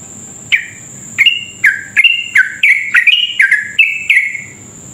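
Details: Sooty-headed bulbul lure song in long 'ropel' style, meant to trigger fast singing in others: one chirp, a short gap, then a tight run of about ten falling chirps alternating higher and lower, over a steady high-pitched whine.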